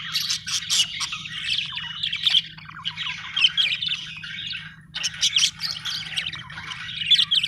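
A budgerigar chatters in a fast, scratchy stream of chirps, squawks and warbled notes.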